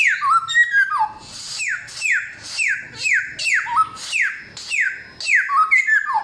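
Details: Loud, clear song of a forest-origin samyong: a string of ringing whistles that each fall steeply, interspersed with stepped, twisting phrases, repeated quickly and evenly.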